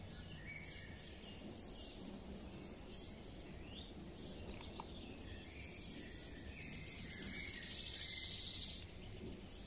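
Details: Wood warbler song rises out of a busy woodland chorus. A high, rapid, shimmering trill grows louder for about two seconds near the end, while other birds chirp throughout.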